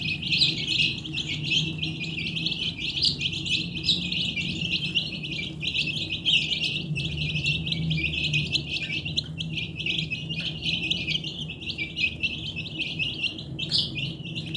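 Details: Domestic chicks playing with a baby cart and drinking water give a dense, continuous stream of high, rapid peeping chirps over a steady low hum.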